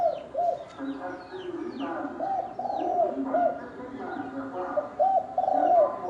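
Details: Thổ đồng cooing of a spotted dove used to stir males and wild birds to fight: rough coo phrases repeat through the recording, overlaid by frequent high, downward-sweeping whistles from other birds and a faint voice.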